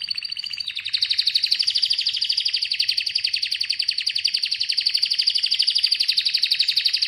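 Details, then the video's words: An Atlantic canary delivers a long continuous rolling trill of very rapid high notes, steady and sustained for several seconds after a brief softer opening. "Atlantic Canary sings in an amazing voice"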